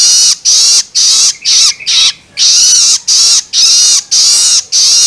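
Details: Juvenile long-tailed shrike giving loloan begging calls, used to stimulate adult birds: harsh, raspy broadband screeches with a falling tone inside, repeated about twice per second in a steady run.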